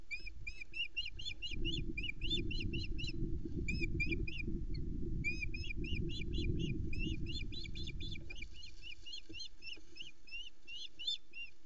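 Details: Female osprey at the Loch Arkaig nest, Scotland, 2020, hungry since the previous evening, calling as her mate arrives with a flatfish; rapid runs of thin high chirps in bursts, over heavy low wind roar that eases near the end.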